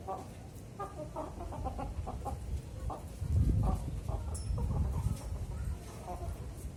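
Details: Young zebra dove, four to five months old, being trained to sing on a raised hoisting pole, with training advised between 9 and 10 in the morning. Soft rhythmic cooing notes repeat steadily over a heavy low rumble of background noise.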